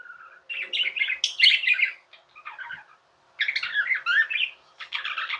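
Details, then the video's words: Tamed pet budgerigars chattering in two long rasping bursts of squawky chirps and grating warbled notes, the second burst louder, closing with harsh scratchy calls. "Budgies | Talking | Singing | Chirping sounds"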